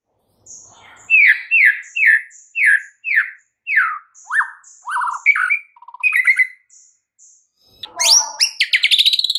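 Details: White-rumped shama song played to stimulate a reluctant caged bird: a string of descending slurred whistles repeated about every half second, higher thin notes above, then a burst of harsh rapid trilling at the end.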